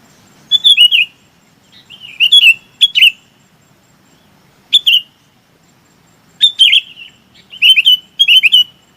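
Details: Flock-calling sooty-headed bulbul giving a series of short, bright, downward-slurred chirp phrases, some single and some in quick pairs, spaced irregularly over nine seconds.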